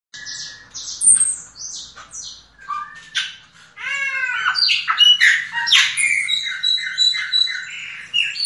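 A yellow-legged thrush sings a fast, varied run of high whistles, chirps and scratchy squawks, the phrases changing nearly every second with hardly a pause.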